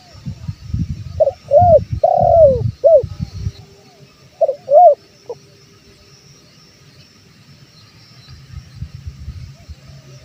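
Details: Spotted dove, male, calling as a lure for wild birds: two bursts of mellow coos with a long downward-sliding note in the first few seconds, then only low rumbling noise and a quiet steady insect buzz.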